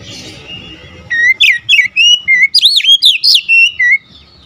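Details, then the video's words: Agitated oriental magpie-robin in fierce song: a rapid run of rich, slurred whistles and rising-falling notes, roughly three per second, over a faint low rumble. "Kacer anda cepat ngamuk ngotot"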